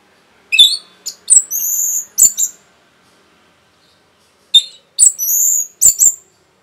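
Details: Orange-headed thrush with rapid song intended to stir other birds: two matching phrases of sharp clicks and a long, thin, high whistled note, separated by about two seconds of silence.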